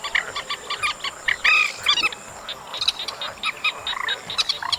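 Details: Chestnut munia singing on an August recording track, with clusters of quick clicking chirps broken by brief curved whistles and a short buzzy phrase near the middle, then more scattered chirps.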